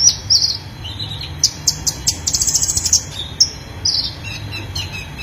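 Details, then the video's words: Konin, the brown-throated sunbird, in energetic full-repertoire song meant for tutoring cage birds: high thin notes, a rapid run of clipped chirps in the middle, then scattered downslurred whistles, with soft low rumble behind. "Konin gacor full isian"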